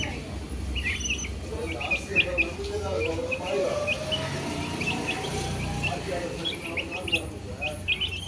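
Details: Many short high chick peeps scattered throughout, with a lower gliding tonal sound running through the middle and steady low background noise.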